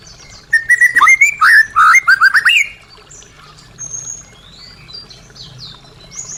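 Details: White-rumped shama song for coaxing caged birds back into song: a loud two-second burst of rapid whistled notes and trills, followed by softer high twittering phrases.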